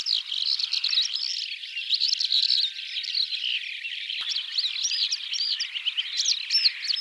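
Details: In spring in Central Asia, larks sing right around a yurt camp in their habitat, pouring out a continuous, high, twittering song of rapid trills and overlapping warbled phrases; a steady low tone hums faintly midway.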